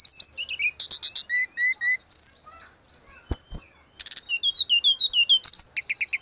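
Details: Energetic grey-cheeked bulbul song used as tutoring audio for cage birds: dense high chirps, then repeated short slurred whistles, a sharp clipped note, and a closing run of quick descending chirps.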